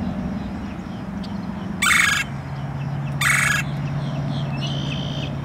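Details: A male red-bellied woodpecker in a Southwest Florida park gives two harsh, rolling churrs about a second and a half apart, over a steady low mechanical hum.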